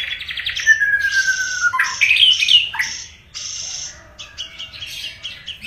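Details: Murai batu (white-rumped shama) in energetic 'gacor' song: quick chips, then a long falling whistle, followed by a tumbling burst of varied sharp notes and short buzzy fragments that trail off quieter.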